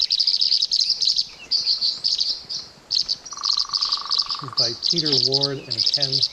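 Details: Tree Swallow calls: a rapid series of high, bright chirps and twitters in clustered bursts for about four seconds, then a man's voice speaking over the last calls.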